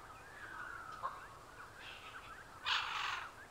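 A Military macaw gives one loud, harsh, raucous squawk near the end, after a fainter, drawn-out falling cry. Low background noise throughout.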